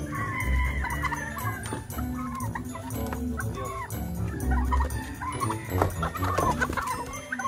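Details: Domestic turkeys raised in the Philippine countryside give wavering, clucking calls in short bursts, set against background music with a deep, thumping beat.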